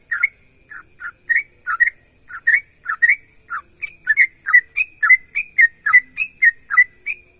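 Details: A yellow-vented bulbul in full song, used to prompt other bulbuls to sing: a lively run of bubbly, liquid notes, about one a second at first, then quickening into a steady, chattering sequence.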